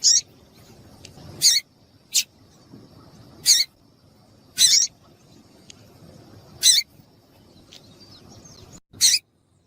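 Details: Female papa-capim calling to arouse and stimulate males, as used by keepers preparing birds for singing contests: short, very high, thin peeps spaced irregularly about every one to two seconds against a quiet background.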